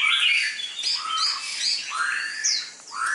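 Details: Caged competition red-whiskered bulbul ('chào mào mộc đỏ') with a dark bib and a slim, medium build. It sings mellow, sliding whistles, some lower and some high, in a loose, liquid phrase with brief rising notes.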